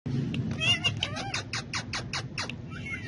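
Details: Pet male ringneck parakeet talking and dancing, kept among several other parrots; a quick run of harsh, speech-like syllables with stacked overtones, about ten short bursts in three seconds, over a low indoor hum.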